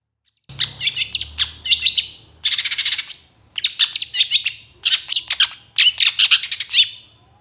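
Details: Long-tailed shrike in loud, varied gacor song for training other birds: long strings of fast clicking chirps and rasping notes in several bursts, with brief whistles mixed in.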